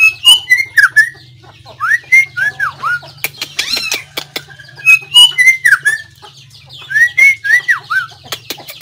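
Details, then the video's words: White-rumped shama song from 17 April 2024: rich whistled phrases of rising and swooping notes, repeated in three bursts separated by short pauses, with a cluster of sharp clicks in the middle and a low hum throughout. "noog quaj zoo # นกกางเขนดง"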